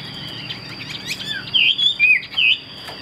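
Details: A caged Chinese hwamei, kept for fighting, gives three bright whistled phrases after a soft, chattery start, each a clear slur rising and falling, with a constant high tone humming in the background.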